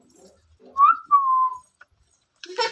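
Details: Parrot whistling a short rising note followed by a longer level note that falls slightly, with faint noise and a brief burst of other sound at the end.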